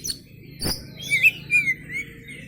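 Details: Oriental magpie-robin (kacer), a trophy-winning contest bird, singing melodiously: a sharp click, then a few clear whistled notes sliding and warbling in a high range, with faint insect-like hiss behind.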